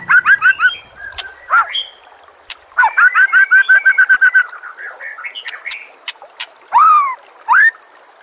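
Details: White-rumped shama song, used as a master recording for training caged shamas, with a natural soundscape of trickling water. Rapid runs of rich whistled notes sliding up and down, with short bursts, sharp ticks and pauses between phrases.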